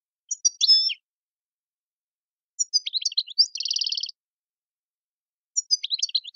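A European goldfinch sings bright, rapid tinkling phrases with twittering notes and a buzzy trill, in bursts a few seconds apart; nothing else is heard.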